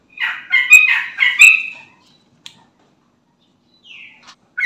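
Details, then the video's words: Short lure phrase from a gacor sooty-headed bulbul intended to set off untrained bulbuls: a few slurred, chuckling notes, then near silence with a soft downslurred chirp and another note starting. "Trucukan Bahan, Ombyokan Langsung Nyaut Dengar Suara Trucukan Gacor ini"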